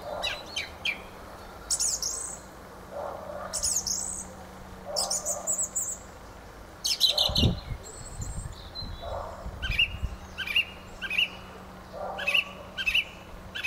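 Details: Fieldfare song of scratchy phrases with squeaky upper notes, then a run of short, evenly spaced high chirps near the end; a brief low thud midway.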